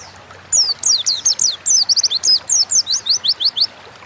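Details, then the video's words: Oriental white-eye singing in lively 'gacor ngalas' style, used as a lure recording to get kept birds singing: a fast run of high, thin, down-slurred whistled notes, about four per second, over faint steady background hiss. "Burung pleci gacor ngalas pancingan bahan agar cepat bunyi"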